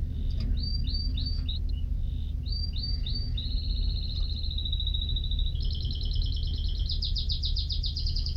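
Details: Canary song that opens with paired rising whistles, shifts into a long fine trill that drops slightly in pitch, then switches to faster, louder rolled tours; low hum in the background.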